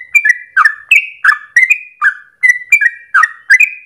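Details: Trucukan, Yellow-vented Bulbul, in lively long 'ropel' song used as a training lure. Short, rich, warbling notes that dip and rise follow each other about three per second without a break.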